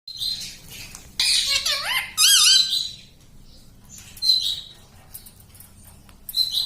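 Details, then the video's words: Pet talking parrot, known in Hindi as tota or mitthu, said to say words like 'mummy': high, squeaky, wavering speech-like phrases with stacked, bending harmonics in two bursts, then short shrill squeaks after a quiet pause; small-room ambience. "Bolne wala tota - tota talk - mummy bolne wala mitthu - talking parrot"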